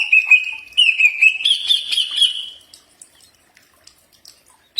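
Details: Common iora song, used to coach birds into replying. Level whistled notes step up slightly in pitch over two and a half seconds, then silence with a short note at the end.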